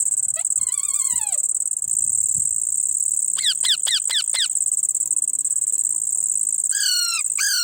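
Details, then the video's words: Calling baby Indian ringneck parrot: a drawn-out wavering squawk, a quick run of four short downward screeches, then two more descending harsh notes, over steady high-pitched hiss. "cute parrot sound like,baby parrot calling"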